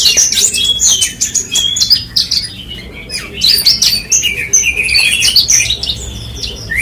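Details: Branjangan (Horsfield's bush lark) singing busy, high chirps and slurred whistles that ends with a sharp rising note, with a brief lull midway.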